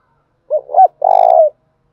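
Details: Spotted dove giving its lure call for attracting other birds: short coo, second rising coo, then a sustained throbbing coo of about half a second, mid-pitched and isolated against silence.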